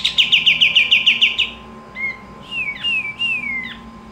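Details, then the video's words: Pied triller (kapas tembak) singing actively: a rapid series of about nine bright repeated notes, then long drawn-out slurred whistles that dip and fall. "Kapas tembak gacor dor"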